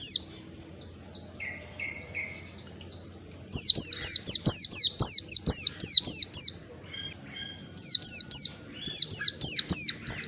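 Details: Lure song of a wild white-eye, aimed at making other white-eyes respond: soft distant twittering and buzzy notes at first, then loud rapid runs of high, sharply down-slurred chirps with a brief pause.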